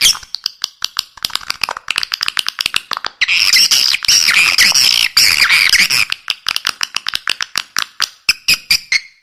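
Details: Call played to attract swiftlets: fast series of dry clicks, about four per second, broken by a loud three-second burst of harsh, buzzy twittering, then more clicking with brief chirps.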